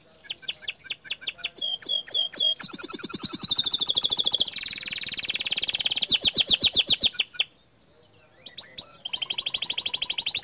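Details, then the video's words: Green canary song meant to rile other canaries: evenly spaced clipped notes, a dense buzzy trill, a short silence, then renewed trilling phrases. "Masteran Kicau Kenari Warna Hijau Botol Suara Tembakan nya Bikin Emosi Kenari Lain"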